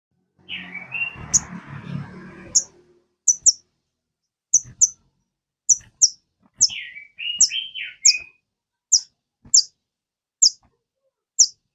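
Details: Sogon kept as a cage bird, singing to draw song from others: sharp very high chips repeated about every half second, with a short run of lower slurred whistles midway. A brief rustling noise opens the recording.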